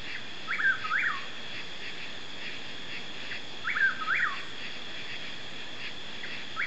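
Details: A Chuck-will's-widow in East Texas, USA, sings its rolling four-part chuck-will's-WID-ow phrase about every three seconds, over a steady high hum of night insects.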